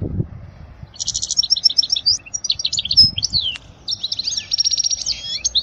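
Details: European goldfinch song for tutoring young chicks, a varied run of buzzy rattles, quick chirps and sweeping whistled notes, with a soft thump at the start.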